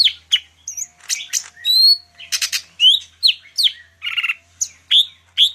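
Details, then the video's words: Medan greater green leafbird singing separate bright phrases: sharp upslurred whistles, clicks and short rattling buzzes, each burst about half a second apart. "cucak ijo medan_gacor full isian"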